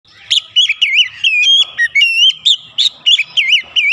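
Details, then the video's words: Oriental magpie-robin (kacer) song used to stimulate singing: loud, varied whistled phrases with wavering, looping notes and sharp clicks, delivered in quick bursts with almost no pause, high-pitched throughout. "terapi Kacer langsung panas keluar variasi isian"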